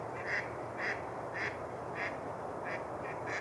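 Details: Mallards on a patch of open water on Rush Lake, New Brighton, Minnesota, in February: a series of short, nasal quacks, roughly two per second, over a steady background hiss.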